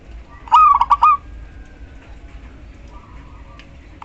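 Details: Local female zebra dove calling the male, used as a lure to prompt silent males to sing: one short burst of rapid stuttering coos, then quiet background with a faint distant tone.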